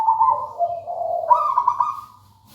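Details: Zebra dove of local wild type delivering a short song phrase: a low purring trill that rises into a brighter, rolling, higher trilled coo before fading.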